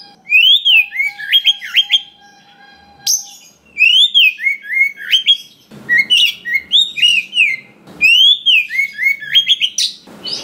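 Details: Wild-caught Oriental magpie-robin in full varied song, played to stir other magpie-robins into singing; rising-falling whistled phrases and quick chirp runs repeat in bursts separated by short gaps, with faint rustling between them.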